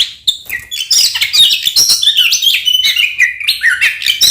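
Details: Oriental magpie-robin singing a fighting song used to provoke rival magpie-robins: dense, rapid phrases of bright whistles, downslurred notes and harsh chirps with short gaps.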